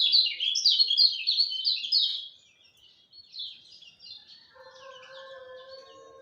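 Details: Lemon-bellied white-eye singing at dawn: a fast, lively stream of high, thin twittering notes, dense for two seconds, then scattered phrases, with a steady low droning tone joining near the end.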